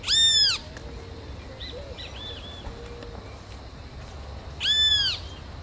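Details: Great kiskadee (bem-te-vi). A loud, harsh arched note rings out at the start and again near the end. Softer whistled notes from other birds are heard between them, over steady background hiss.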